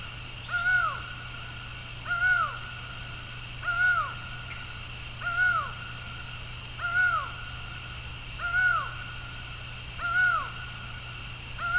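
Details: A laughing falcon calling before dawn on 27 October 2023 in Brasília, Brazil, gives loud, arched, nasal notes about every one and a half seconds, seven in a row, over a steady high insect drone and a low hum.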